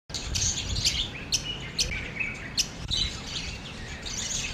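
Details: Budgerigars, including a white female, give quick, bright chirps and warbling twitters against a low background hum.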